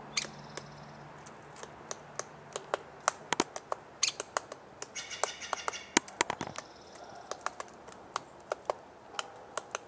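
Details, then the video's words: Downy Woodpecker (suspected) on a tree outside a trailer: sharp, irregular tapping, at times several knocks per second, with high chirps and a brief buzzy trill from other birds singing along. "Woodpecker, Pecking & Singing"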